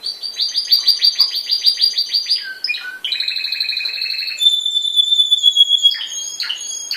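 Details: A yellow Spanish timbrado canary with a black patch, hatched 2012 and trained for competition, sings high, fast series of ringing notes, then rolling trills and a long steady metallic whistle, each phrase switching abruptly to the next.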